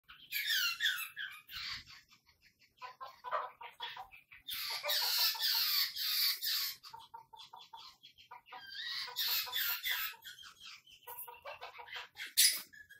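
White-crested Laughingthrush gives loud, harsh cackling bursts that swell into raucous chattering outbursts, then pause briefly.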